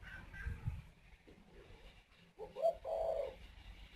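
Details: Male Spotted Dove in a breeding aviary in northern Vietnam, at the nest urging the female to lay again; a single low, hollow coo phrase near the end, after faint low background rumble.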